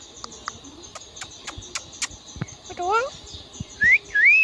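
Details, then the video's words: Indian ringneck parrot talking and making sounds: faint clicks, then a short harmonic voice-like rising sound and two loud upward-sliding whistles at the end over a steady high hiss. "Indian ringneck parrot talking and making sounds"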